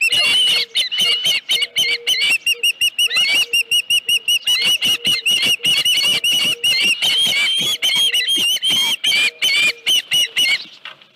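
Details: Osprey at a ranch nest, morning of 31 July 2018, headless fish at the nest: steady, insistent high chirps about two to three per second, a faint ticking sound at one point, continuing throughout.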